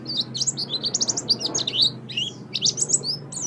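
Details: Oriental white-eye singing for a master recording meant to teach pet songbirds; dense, varied high twittering with quick rising and falling whistled notes, over a low hum.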